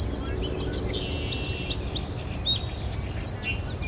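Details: At a local water basin, a red-winged blackbird utters a quick pair of high, clipped chip notes near the end, over a quiet bed of distant chirps and steady hiss.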